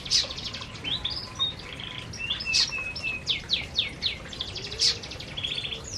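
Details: Group of canaries feeding in an aviary, chattering with high thin whistles, quick downslurred chirps and a few loud sharp notes, several birds calling over one another.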